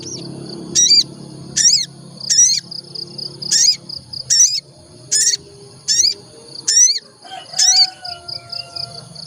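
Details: Olive-backed tailorbird lure to prompt singing: a steady series of loud, high, sharply bent notes, about one each second, over a continuous thin beaded trill, with a soft low whistle near the end.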